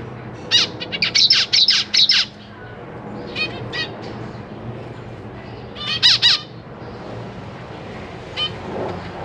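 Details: Zebra finch family in a cage, parents busy feeding three juveniles and three newborn chicks: rapid clusters of loud nasal, harmonic calls, several in quick succession, then a pause and a further burst.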